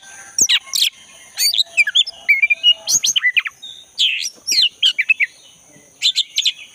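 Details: Forest-recorded black-breasted white-rumped shama, intended to get a silent caged shama singing again: clusters of loud, sharp chirps and swooping whistles with brief gaps, over a faint steady insect tone.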